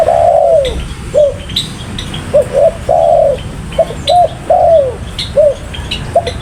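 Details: Spotted dove (tekukur) calling persistently, giving long arched throaty coos alternating with short clipped ones in a steady rhythmic series; thin high chirps of other small birds sound faintly in the background.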